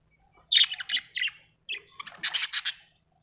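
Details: Budgerigar in a happy mood, singing a quick, chattering warble. Two clusters of harsh, buzzy chirps are split by a brief gap, and the second burst is denser and higher.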